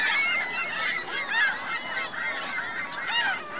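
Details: Geese with goslings at Virginia Lake in Reno, recorded in spring: overlapping honking and high, thin peeping calls from several birds, a steady mixed chorus with rising and falling squeaky notes throughout.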